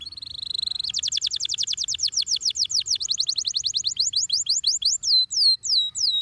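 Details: Canary song played as therapy for training young canaries: a steady high trill of rapid buzzy notes, then fast repeated rising-falling sweeps, then slower downward-hooked whistles, all high-pitched and clear over a quiet background.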